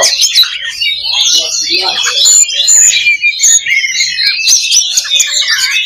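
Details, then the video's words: Fighting-style 'loba' song of an Oriental magpie-robin, used to raise a bird's fighting spirit: busy high chatter, scratchy rattles and clear whistled strokes layered densely, a brief dip near the middle before resuming. "SIMULASI LOBA BURUNG KACER || MENAIKAN MENTAL TARUNG / FIGHTER"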